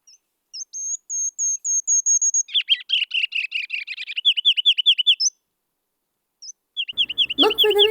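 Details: Ruby-crowned kinglet (Regulus calendula), a tiny spring migrant in southeast Saskatchewan and southwest Manitoba in April–May, gives its very loud song: thin, very high notes, then a lower run of rapid rolling phrases repeated several times; a person starts talking at the end.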